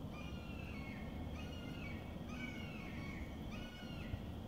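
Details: Distant Bald eagles at Cowles Bog, Indiana Dunes, too far away to film: four thin, high chirping calls with a descending harmonic sweep, spaced about a second apart, over steady low background rumble.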